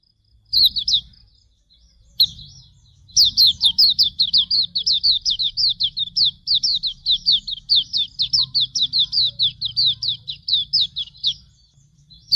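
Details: Hume's white-eye song used to train birds: two short twittering notes, then a long sustained run of about thirty-five rapid, high, down-slurred chirps lasting around nine seconds, with faint low hum beneath.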